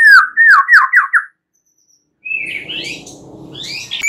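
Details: White-rumped shama singing at night to encourage other birds to sing: five quick descending whistled notes in a row, a short silence, then higher rising whistles over a faint low rumble.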